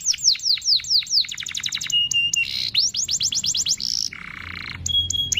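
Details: Canary lure song to make other canaries sing: runs of quick downslurred notes, flat whistled tones, a buzzy burst and a high held whistle, varied and continuous.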